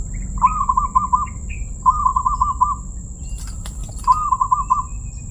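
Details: Three rolling, pulsed coo phrases from a zebra dove with a so-called crystal voice, each about a second long on one steady pitch, separated by short pauses and a few sharp clicks, over low hum and a high steady whine.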